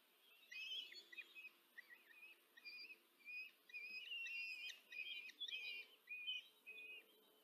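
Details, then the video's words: Begging from four common kestrel chicks as the female feeds them at a Hungarian nest in Tiszanagyfalu, 14 July 2023: a near-continuous stream of high, wavering, chittering whines from several young at once. "samica karmi czwóreczkę maluchów"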